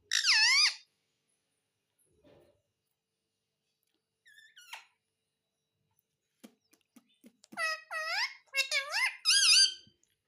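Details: Pet parrot in a small room producing speech-like talking: a short harmonic syllable at the start, a quiet gap with faint noises, then a burst of several quick wavering syllables near the end.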